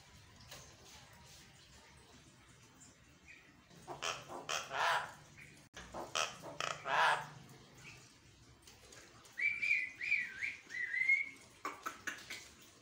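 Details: Javan myna song at morning, used as a lure to make caged mynas answer angrily; scattered harsh rasping bursts followed by a wavering whistled phrase and more squawky notes, with low background hum.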